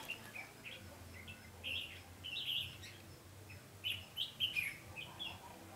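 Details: Red-whiskered bulbul singing during trapping, 20 November 2015: soft scattered chirps at first, then louder rolling warbled phrases in tight groups near the end, over a low background drone.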